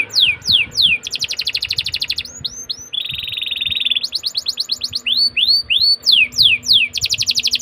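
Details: Young-canary lure song from an Atlantic canary: alternating fast buzzy trills and sharp descending whistles, with a harsh rolling trill in the middle, a faint low hum beneath.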